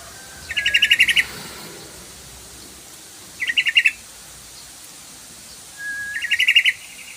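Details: Lure call of the yellow-vented bulbul, meant to prompt singing: three rapid bubbly chattering bursts a few seconds apart, each a fast run of six to eight bright notes, two of them opening with a thin whistle.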